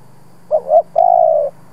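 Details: Decoy spotted dove, an aged lure bird, calling to make other doves coo. Short double hoot followed by one drawn-out level coo that drops slightly at its close, with a low steady hum underneath.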